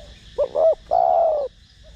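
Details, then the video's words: Single coo phrase from a spotted dove of the 'thổ đồng' voice style, meant to stir other doves into calling: two short clipped notes followed by one drawn-out, slightly descending hoot. "Cu gáy Gù,Thúc giọng THỔ ĐỒNG kích mồi tập bổi rất hiệu quả/Cu gáy Giọng Thổ Đồng kích bổi nhanh gáy"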